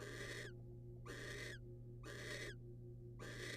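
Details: Barn owls in the wild during a rodent handover from male to female: three to four loud, noisy hissing screeches, each half a second, spaced about a second apart, with a steady background hum.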